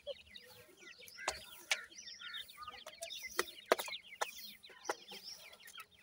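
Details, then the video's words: Teetar (francolin) chicks calling together: a steady stream of thin, high, downslurred peeps from several birds overlapping, punctuated by sharp knocking clicks. "irani teetar chicks ki best awaaz"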